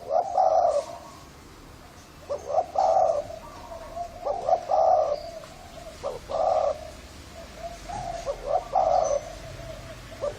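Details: Husky-voiced Thai spotted dove cooing to excite both sexes and wild birds: repeated phrases of a quick note then a drawn-out throaty coo, spaced every two seconds or so across the recording, with light chirps behind.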